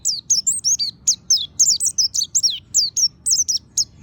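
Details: Oriental white-eye, monty type, singing as a lure to prompt other white-eyes to sing: a dense, continuous stream of very high, sweet, slurred chirps, each note sliding downward, almost without pause.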